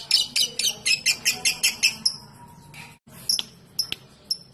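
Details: Lovebird chattering: a quick series of squeaky, harsh bursts that breaks off after two seconds, followed by a few scattered sharp chirps.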